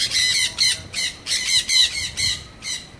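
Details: Sun conures at Artis zoo, Amsterdam, give harsh, piercing, high-pitched screeches in rapid bursts, several calls overlapping about every half second.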